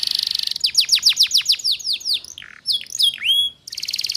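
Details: Lure song of a female canary for young birds learning ngeriwik: a high buzzy trill, a quick series of falling whistled sweeps, a few slower drooping and rising notes, ending in another buzzy trill.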